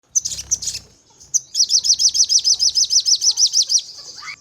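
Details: Crimson sunbird (sogon) lure recording used to provoke birds to respond and sing in 'nembak' style: a few scratchy high chirps, then a fast run of about fifteen sharp, even, high-pitched notes, a short trill at the end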